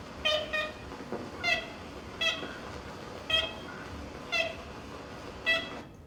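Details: A 1935 recording of an Ivory-billed Woodpecker giving its nasal, tin-horn-like kent notes, about six in six seconds at an uneven pace, over a faint steady hiss; possibly a mating or distress call.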